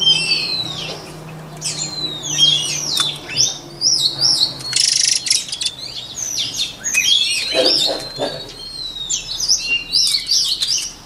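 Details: White-rumped shama singing for voice training: a continuous stream of fast, varied whistles, downslurs and chirps, with a brief burst of hiss near the middle and a faint low hum.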